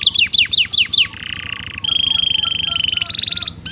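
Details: Canary singing in a long, lavish 'isian mewah' style used as a masteran tutor recording: five quick descending whistled sweeps, then a buzzy low roll and a sustained bright rattling trill ending in a higher rapid churr.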